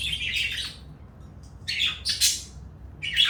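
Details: Two pet parakeets, one blue and one light yellow, give scratchy, high chattering chirps in three bursts: a long one at the start, a cluster in the middle, and a short one at the end, with quiet gaps between.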